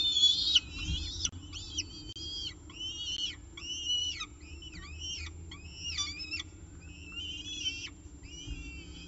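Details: Evening meal at a peregrine falcon nest, filmed by a nest camera in Orange on 18 October 2018 at 6:51 pm. Rapid series of short, harsh whistled chips with arched harmonics, roughly three per second, over a low hum.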